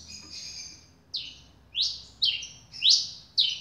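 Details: Double-collared seedeater, newly acquired and kept caged, singing a series of loud, sharply downslurred whistled notes, five in quick succession after a thin opening whistle.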